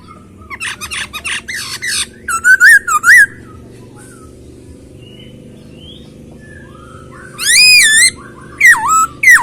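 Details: Masked laughingthrush produces bursts of rapid chattering notes and wavering whistles over a steady low background hum, then a loud rising whistle and slurred closing phrases.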